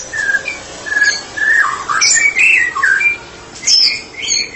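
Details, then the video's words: White-rumped shama (murai batu) used for therapy, singing loudly in ngeplong fashion: mellow mid-pitched whistled notes, some bending downward, mixed with a few higher chips and short gaps between phrases. "Murai batu spesialis terapi sedang ngeplong"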